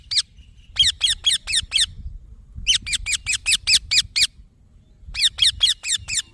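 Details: Baby green parrot chirping insistently in three strings of high, harmonic notes, roughly five to eight chirps per string, separated by short pauses; faint low room rumble underneath.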